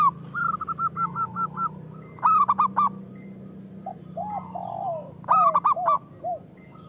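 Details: Local zebra doves sing in a lure recording meant to set others cooing. A quick string of even coos leads into loud, ringing, stuttered bursts, with lower bending coos between them, over a faint low hum.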